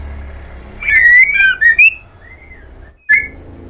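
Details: Calling female white-rumped shama (murai batu betina) luring a male: a wavering, tumbling whistled phrase, then a soft fading whistle, a brief silence and one more short whistle.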